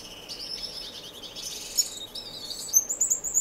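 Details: Finches singing indoors in a non-breeding community aviary in Edmonton, Canada: high, thin twittering phrases with rising and falling whistled notes and a few sharp chirps near the end.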